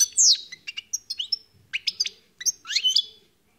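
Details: Wild European goldfinch singing a quick, bright run of tinkling twitters, sharp chirps and short buzzy slurs that rise and fall, in several bursts split by brief pauses, with no other sounds.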